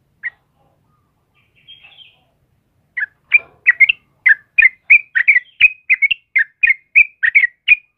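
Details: In the morning, a sooty-headed bulbul of the kebo type starts with an isolated note and a faint chirp, then launches into a lively, continuous string of bubbly whistled phrases.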